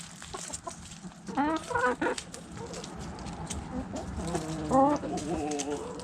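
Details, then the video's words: Backyard chickens, hens and roosters, feeding on food scraps; two drawn, rising-and-falling squawking clucks stand out, separated by quieter murmuring and steady pecking noise. "Backyard Chickens Food Scraps Mukbang Sounds Noises Hens Clucking Roosters Crowing!"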